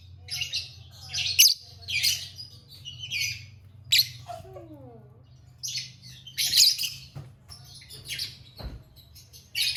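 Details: Lovebird giving squeaky, grating high chirps in scattered bursts, with a short run of lower, downward-sliding whistled notes in the middle and a low hum behind.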